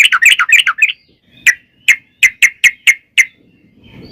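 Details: Sooty-headed bulbul in a long rapid 'ropel' singing style, played as a lure to make other bulbuls sing: a quick burst of bubbly chirps, then seven separate sharp notes spaced about a third of a second apart.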